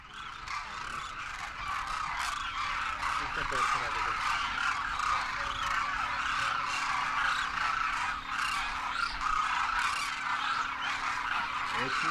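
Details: Huge wild flock of Demoiselle Cranes wintering in Rajasthan, India, first-year juveniles with adult parents, trumpeting in flight: a dense, unbroken cacophony of overlapping rolling, honking calls with no pauses throughout.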